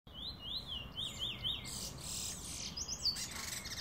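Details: A Chestnut-bellied Seed Finch, recorded in 2018 and known locally as the Trini bullfinch, sings five bright slurred whistles, then scratchy, buzzy twittering over a steady background hiss.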